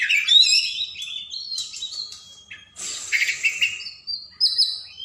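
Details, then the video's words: Oriental magpie-robin (kacer) song for coaxing reluctant cage birds into singing: sliding whistled notes, a long steady whistle, then a harsh buzzy burst followed by clear high whistles. "Masteran burung Kacer/Klacer gacor dor nembak durasi panjang cocok buat pancingan burung malas bunyi"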